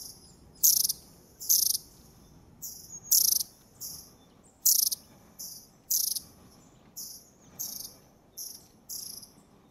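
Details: Long-tailed tit in the wild near Zvenigorod Biological Station, Moscow region, in January, giving very high, thin, buzzy call notes in quick bursts, about one each second, over a faint low hum.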